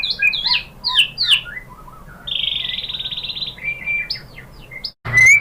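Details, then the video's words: Lure song of the white-rumped shama (murai batu) meant to set off singing: twisting slurred whistles, a long buzzy rattling trill, higher whistled notes, then a sudden loud burst after a short cut. "bikin NYAUT GACOR !! MURAI BATU jadi NYAUT GACOR BONGKAR MATERI ¦ PANCINGAN MURAI ¦ SHAMA BIRD"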